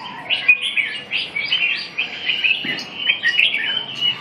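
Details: Red-whiskered bulbul in continuous song: quick, lively warbled phrases of bright, slurred whistles, repeated roughly every half second in short bursts, with a soft low rumble beneath.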